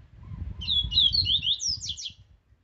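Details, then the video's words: Aggressive Laranjeira-style double-collared seedeater song, strong Viviti Zel Zel phrase for training birds: a quick run of high slurred whistles, then buzzy descending notes at the end, over a low rumbling background. "Viviti Zel Zel Canto Forte Para Encarte e Manejo!!! 1 Hora de Canto do Coleiro Laranjeira Agressivo!"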